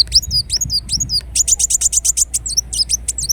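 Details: Ruby-cheeked sunbird, known in Indonesia as kolibri wulung, singing: high thin twittering notes with sharp rising-falling sweeps, then a fast run of rapid ticking chips repeated several times a second, ending in more swooping twitters.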